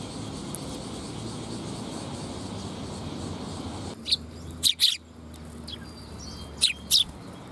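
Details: Sparrows coming to be fed at a Tenmangu shrine on 22 August 2021. About four seconds of low rumbling background, then short, sharp, high chirps in a few quick bursts, with two paired notes near the end.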